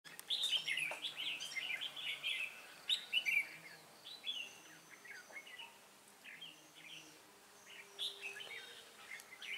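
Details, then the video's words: Red-whiskered bulbul used as a decoy bird in a fighting trap, singing bright chirpy phrases that rise and fall, clustered in quick bursts early on, with softer scattered notes and twitters following. "Bẫy đấu Chào mào"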